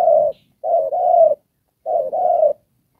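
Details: Decoy spotted dove for trapping, Đồng Pha singing style: soft hooting coos, a short note and two longer drawn-out phrases, spaced about a second apart.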